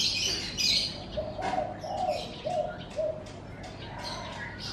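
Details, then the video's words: Morning birdsong in front of a house: high twitters early on, then a run of lower mellow notes repeated about every half second, with faint chirps continuing behind. "Suara Kicau Burung"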